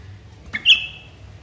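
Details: A sooty-headed bulbul used as a lure call gives one sharp, high, slightly falling note, held about half a second, just after a brief click; quiet background.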